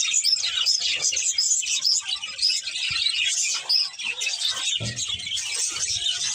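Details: Breeding pair of budgerigars chirping: continuous high, busy warbling chatter with many rapid overlapping tweets and short squeaky notes throughout.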